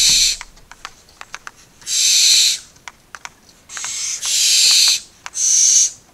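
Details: Four barn owl chicks begging in the nest on 2 September 2019: loud, breathy hissing screeches, each lasting about half a second to a second, coming in quick succession, with sharp clicks and tapping sounds between them.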